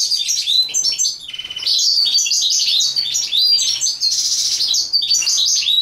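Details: European goldfinch song during mating: a continuous rapid jumble of bright, high chirps, liquid twitters and brief buzzy trills, with one short dip in loudness partway through. No other sounds stand out.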